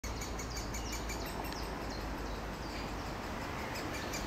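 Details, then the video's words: A Great Spotted Woodpecker chick, recorded 1 June 2024, is very vocal, giving a rapid, continuous run of thin, high chirps, several per second, over steady low rumbling background noise. "Great Spotted Woodpecker chick"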